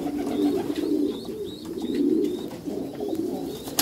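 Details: Meulemans racing pigeons in a backyard loft: low, rolling coos that swell and fade in repeated bursts, with faint higher chirps of other birds in the background.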